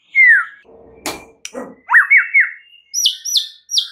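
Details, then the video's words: Lure song of a white-rumped shama meant to provoke other birds: a falling whistle, a few clicks and knocks, then quick rising-falling whistled notes and three sharp high downslurred notes. "SEKALI PANCINGAN Murai Batu anda langsung NAIK EMOSI mendengarnya"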